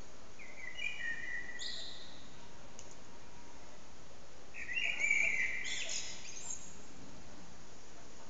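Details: Common blackbird in an echoing backyard, recorded with an old HTC Desire phone: a short, low fluted phrase followed by high squeaky notes, then a louder, rich warble about four seconds later, over constant loud background noise.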